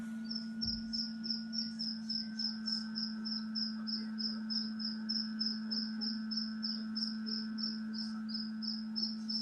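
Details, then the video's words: Newborn black francolin chick gives thin, very high chirps in a steady string, about three per second, over a constant low electrical hum. "New Born Black Francolin Chick Chirping Sound"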